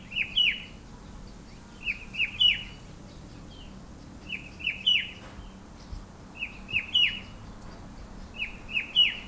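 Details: Himalayan shrike-babbler calling from a bare pear tree in an orchard and botanical garden, the call echoing through the hills; five repeated phrases of two to three short downslurred whistles, roughly every two seconds, over faint hum.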